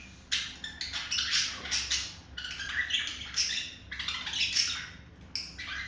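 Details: Male budgerigar kept as a pet, courting a female with its seduction sound: harsh, scratchy chatter in dense bursts, broken by short pauses, with a low steady hum underneath.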